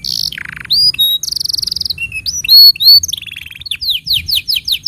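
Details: Canary tutor song for young and silent canaries. A varied sequence of buzzy rolls, clear rising whistles and short slurred notes in quick succession, finishing with an even series of sweeping chips.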